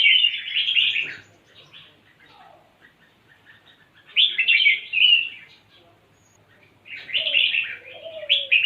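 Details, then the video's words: Lively red-whiskered bulbul sings three bubbly, chattering warbled phrases about every three seconds, each roughly a second long, with softer lower whistled notes between them. "เสียงนกกรงหัวจุก คึกคักๆ"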